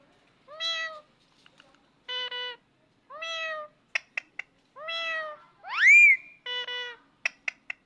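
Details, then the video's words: Parrot making cat sounds in a quiet room: a series of mews, some curved and some flat, mixed with sharp clicks and one loud, sweeping, upward whistled cry. "Parrot speak, Clever Parrot making sound the cat"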